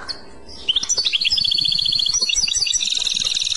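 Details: European goldfinch in clochette song, opening with a few chirps then building into fast, regular, ringing bell-like notes that continue unbroken to the end.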